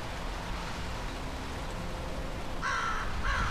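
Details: American crow calling from a tree on 15 September 2013 as someone urges it down; after a quiet stretch of low outdoor noise, two short, harsh caws come close together at the end.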